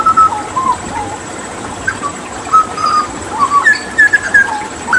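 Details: Hooded butcherbird, a Papuan endemic, in tutor song with water therapy: sparse clear whistles, some level, some wavering, spread across a quiet stretch, then a quicker cluster of high fluty notes near the end, over steady hiss.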